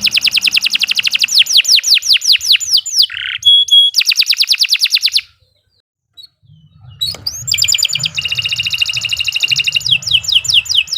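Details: Canary in rapid continuous song: very fast repeated sweeping notes forming a long rolling trill, a buzzy note, a short silence, then another dense high trill with low hum in the background.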